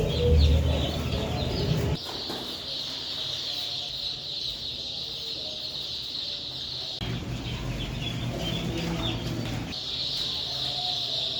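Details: Broiler chicks in a dense, continuous chorus of high peeping that merges into a steady band, with a strong low rumble and some rustling early on, then brief drops and returns of the peeping.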